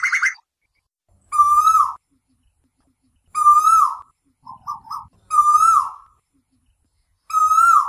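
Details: An Asian koel calls at night, giving loud, clear whistled notes that rise then hold steady, repeated about every two seconds, with a few shorter notes between.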